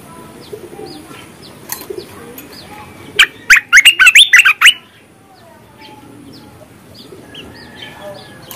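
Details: Merbah bulbul song for coaxing silent birds to sing: a short cluster of rapid, bright slurred whistles lasting about a second and a half, set among soft distant chirping from other birds.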